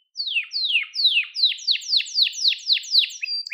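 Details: Canary singing for training young canaries: a series of about ten clear descending swooping notes, each falling sharply and repeated roughly every third of a second, ending in a short higher trill.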